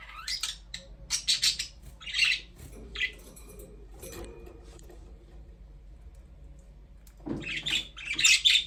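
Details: Pet budgies chirp in quick scratchy bursts, then fall quiet for several seconds before a fresh, lively round of high twittering.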